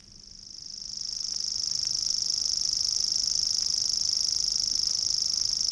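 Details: A grasshopper warbler in the water-meadows and coastal pastures of Matsalu (1979 field recording) reels: a high, dry, insect-like trill of rapid ticks, swelling at the start then holding steady without a break.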